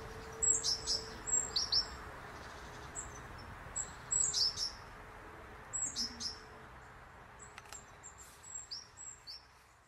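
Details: Great tit at an office-window feeder alongside chaffinches and robins. Short clusters of thin, high-pitched notes come in bursts every couple of seconds over a low steady hum.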